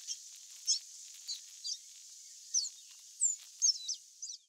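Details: Wild, free-living Chestnut Seedeater gives high, thin whistled notes and quick slurred phrases, spaced every half second or so, over a steady high insect-like hiss.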